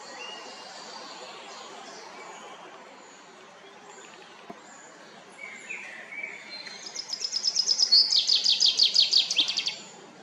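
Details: Chaffinch song from La Perle du Lac, Geneva, Switzerland, given to defend territory and attract a mate: after quiet background, a few lower notes lead into a fast, rattling series of high repeated notes lasting about three seconds.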